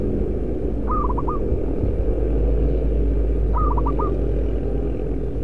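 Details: Decoy zebra dove of a local strain with a strong voice gives two quick stuttering coo phrases, each of several short notes, spaced about two and a half seconds apart above constant deep rumbling.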